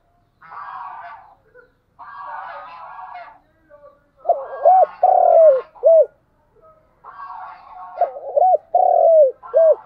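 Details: Spotted dove used as a morning decoy to attract wild doves: harsh buzzy sounds first, then two soft coo phrases, each broken notes, a long sliding coo and a short final coo.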